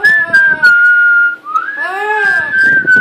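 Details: Female pet parrot giving some of her first whistles indoors: a steady clear whistle held for over a second, a rising-and-falling harmonic note, then the whistle again, with quiet rustling noises.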